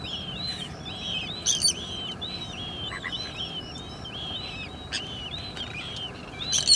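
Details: Sandwich terns at a breeding colony at the Salins d'Hyères, France, near the end of the breeding season with chicks about to fledge; many harsh, grating calls overlap continuously, with sharp clicks and rustling underneath.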